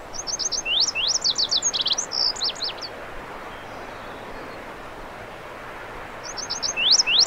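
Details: Lazuli bunting song in western North America: a quick high jumble of sharp upslurred and downslurred notes over about two and a half seconds, then a pause and a second phrase beginning near the end.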